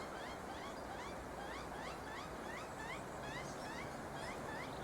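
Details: A magpie chick begging as its mother approaches with a worm to feed it gives squeaky, rising notes like a squeeze toy, several times a second, over a steady background hiss.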